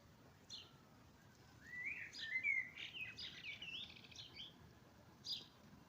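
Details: Dawn chorus in spring: after a quiet start, a warbled song of slurred whistles and quick notes builds up, ending with an isolated high chirp.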